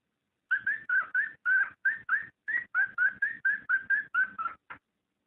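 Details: ['Cockatiel mating call to encourage breeding: a steady series of about eighteen short whistled chirps, roughly four per second, each slightly rising.']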